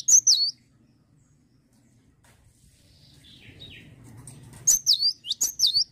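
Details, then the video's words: Lively song of a cinereous tit: one sharp high whistled phrase dropping in pitch, a long near-silent pause with a soft murmur, then three more repeated ringing phrases. "GELATIK BATU LAGI GACOR"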